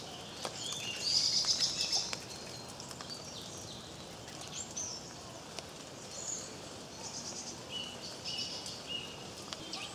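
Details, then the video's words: Redwings in woodland in Cornwall, filmed in the rain on 5 February; thin high seeping calls, one short buzzy trill early on, then scattered faint high notes over steady rain hiss. "Redwings at Tehidy Woods in The Rain"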